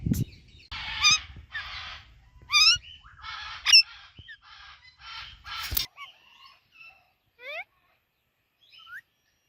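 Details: Indian ringneck with an Alexandrine parakeet, chirping together: rapid harsh chattering notes and ringing squeaks, then sparse drawn-out downward-sliding calls after a short low thump at the start.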